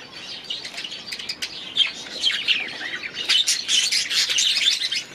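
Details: Budgerigars in their aviary keep up a dense, continuous warbling chatter of short bright chirps and scratchy notes, overlapping throughout and growing busier toward the end.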